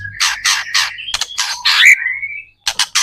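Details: White-rumped shama in full song, used as a lure to prompt other shamas to sing back: bursts of harsh, buzzy notes and a rising whistle stretched into a long slurred note, then a short pause and more rasping bursts.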